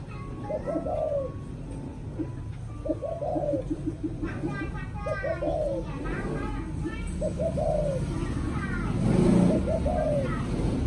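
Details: A spotted dove coos in the evening in Vietnam, repeating a soft, mellow phrase roughly every two seconds: a few quick low notes ending in a rising-falling hoot, over a low background hum.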